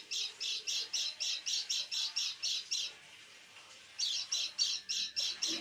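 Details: White-eye in a cage calling toward night, as it regularly does: a rapid train of harsh high chattering notes, about eleven, a one-second pause, then the same squawky series resumes.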